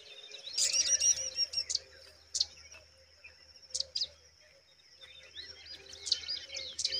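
Pipit nestlings beg with thin, high, sharp squeaks in uneven bursts several times a second, over a faint low hum.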